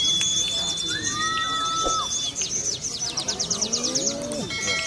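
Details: Caged Sunda leafbird from Kebumen delivering prinia-style ciblek material: a long thin steady whistle, brief slurred notes, then a quick run of sharp repeated high chirps, with low background murmur.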